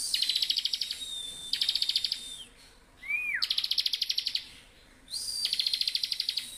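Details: Bar-winged prinia in vigorous continuous ngebren song for training other birds: several bursts of fast, high, buzzy pulsed notes, each ending in a thin sliding whistle, with one swooping whistle between them.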